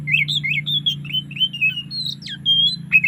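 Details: Oriental magpie-robin giving a varied afternoon song in the relaxed 'ngeplong' style: quick, warbled and whistled high notes with a sharp downward sweep near the end, over a steady low hum.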